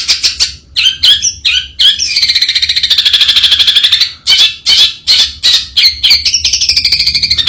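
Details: Long-tailed shrike alternating choppy harsh chatter with sustained rasping, pulsed calls, each rasp lasting one to two seconds between bursts of scratchy notes.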